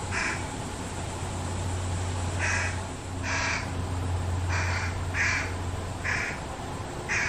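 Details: Resident fish crow family behind a backyard, parents feeding a fledgling; about eight short, nasal, uh-like calls at irregular intervals of roughly half a second to a second, over a continuous low-pitched hum.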